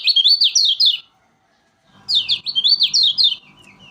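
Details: Lombok yellow flowerpecker singing tirelessly, used as a lure: two bursts of rapid, high, rising-and-falling chirps about a second long each, separated by a short pause, with a faint low rumble under the second burst.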